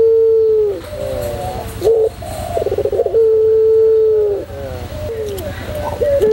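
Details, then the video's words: Singing white pelung-style puter dove in a tutor recording: drawn-out level coos lasting over a second each, broken by a short rolling, bubbling note, repeated several times against a steady low hum. "puter pelung putih manggung"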